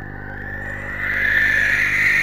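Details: A barn owl pair in a nest box at 3:16 am on 19 January, greeting and mutually grooming; a harsh, breathy hissing screech swells louder after a second and holds steady over a faint electrical hum.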